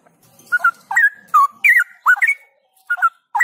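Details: Straw-headed bulbul (cucak rowo) trained outdoors for vigorous 'gacor' song and 'ngropel' style: rich, liquid whistled phrases, rising and falling, about seven short gurgling bursts in quick, uneven succession, no other sounds.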